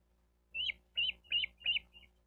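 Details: Wild bald eagle at its nest in Miami-Dade County, Florida, 28 May 2023, captured by a nest camera: four high, thin piping notes, each slightly falling, spaced about a third of a second apart, over a low steady hum.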